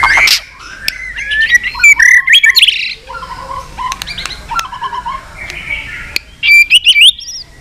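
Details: White-rumped shama in a provoked fighting song with tail flicking: bursts of rapid twittering and clicks, lower fluting whistles in the middle, then a bright high flourish near the end.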